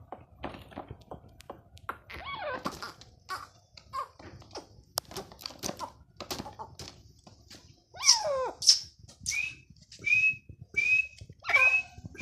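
Grey francolin giving loud, shrill, high notes repeated about every two-thirds of a second, after a run of knocks and clicks in a small room.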